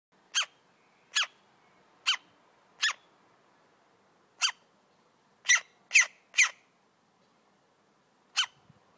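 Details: A rescued woodpecker chick, just fed, gives harsh, raspy squawks, about nine short bursts at uneven intervals, in a quiet indoor room.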